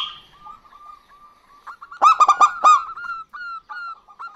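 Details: Local zebra doves, male and female answering each other, used as a lure: soft low coos at first, then a loud burst of rapid stuttering harmonic notes near the middle, followed by quieter drawn-out coos.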